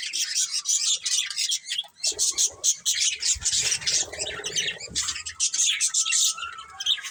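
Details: Colourful budgies chirping, high scratchy chatter and squawks from several birds, with a low rustling or thumping noise in the middle.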